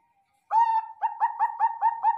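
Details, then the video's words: Zebra dove of the Bangkok type, on a training recording: after a short silence, a drawn-out first coo followed by quick, evenly spaced bouncy cooing notes, about four per second. "PERKUTUT BANGKOK"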